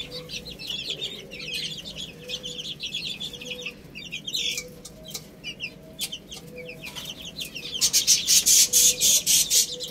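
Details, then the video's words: Little chicks eating rice give a dense stream of high, thin peeps, several a second, over rapid ticking pecks; a burst of loud crackling pecks and scratching fills the last two seconds. "Cute Little Chicks Eating Rice | Beautiful Chicks Chirping Sounds"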